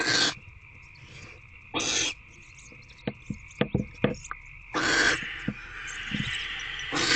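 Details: Three hoarse hissing barn owl screeches, separated by a series of sharp clicks and taps, in nest box C on the evening of 16 February 2024 during a food delivery and bonding. A constant electronic hum runs underneath.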